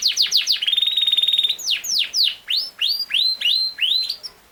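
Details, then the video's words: A Yorkshire canary, known as king size canary, sings: quick falling notes, then a fast, even buzzing trill on one pitch, followed by separated slurred whistles that sweep down and level off. "BEST CANARY SINGING"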